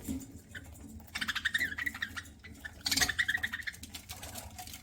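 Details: Pet budgerigar chirping while eating: short bursts of bright chatter in two clusters, one near the middle and a louder one later, over a steady low hum.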